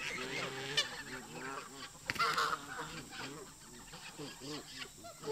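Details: Tension between local geese and migrating visitors at a park: a chorus of rough nasal honks from many birds, with sharp brief bursts early and around the midpoint.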